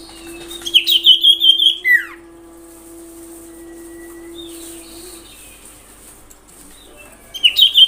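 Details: Common iora lure recording played to provoke other ioras into calling: a loud rapid trill of bright high notes, then a sharply falling whistled note, with the trill returning near the end over a steady low hum.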